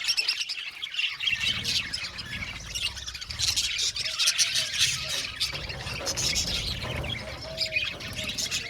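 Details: Aviary budgerigar colony: loud overlapping chatter with harsh squawks and a few higher whistled notes, over a steady low background rumble.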